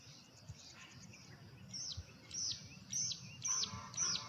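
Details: Perched male Carolina wren belting out his ringing song as a declaration of territory: sharp downslurred whistled notes repeated roughly twice a second, growing louder through the phrase, over soft outdoor background noise.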